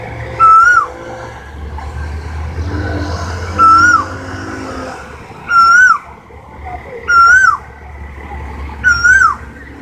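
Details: Asian koel calling persistently: five loud whistled notes, each rising at the end, coming about every one and a half to two seconds, with low engine-like rumble and faint background noise.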